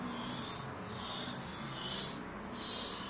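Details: Great tit nestlings in a nest found inside a barbecue, begging while a parent feeds them and removes their droppings; harsh, hissy bursts repeated roughly every second, separated by short gaps, over a low background hum.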